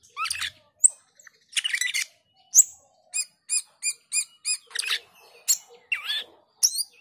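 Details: Male black-winged starling in full song: harsh scratchy bursts alternating with a series of about eight short, crisp, repeated notes, closing with rising whistles and squeaky phrases.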